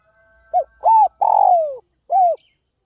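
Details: At dawn a Spotted dove calls to lure other doves with a brief note, an arched coo, a long rough downward-slurring coo and a closing arched coo. A faint steady tone sits underneath.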